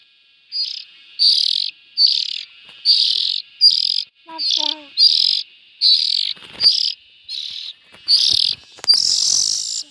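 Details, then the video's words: Steady series of harsh, buzzy rasps from young bulbuls, about seventy-five a minute, with a few faint tonal notes and a louder noisy burst at the end. "Tiếng chim chèo non.suab mi nyuam noog siv txaij"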